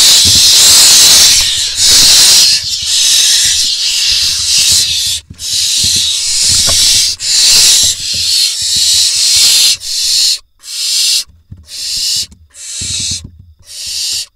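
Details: Barn owl nestlings in a nest box in Israel on 27 June 2021, as the male brings a vole that the smallest chicks grab: loud, harsh, rasping hisses, first nearly continuous and then broken into shorter bursts about a second apart.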